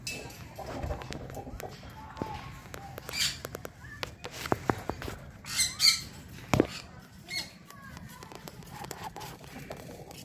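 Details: Several harsh, high squeaky screeches burst out from sun conures around 22 months old, spaced irregularly over the clip, mixed with wing flutters, clicks and a little background speech.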